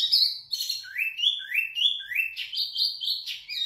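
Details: Loud, clear song from a wambi mini (zebra finch), used to tutor other birds: a string of upward-swooping whistles repeated roughly every half second, ending in high sustained notes.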